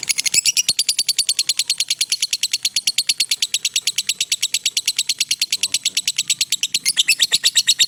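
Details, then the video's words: Lovebird giving a long ngekek trill meant as a master recording for training other birds: a high, shrill chattering run of rapid, evenly pulsed notes, about three per second, sustained unbroken for the whole eight seconds. "suara Lovebird ngekek panjang cocok buat masteran"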